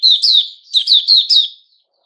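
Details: Short phrase from a male sooty-headed bulbul, recorded 10 July 2021. It has about five chirpy, downward-sliding whistles in quick succession, then fades to silence.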